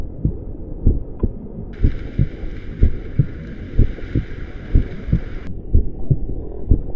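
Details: Regular low thumps about once a second over a hum, with a brief band of higher noise in the middle and no animal voices.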